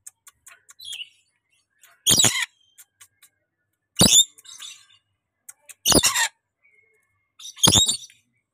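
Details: A tame pet rainbow lorikeet, described as cute and chatty, gives loud harsh rasping screeches roughly every two seconds, four bursts in all, with faint clicks and small chirps in between.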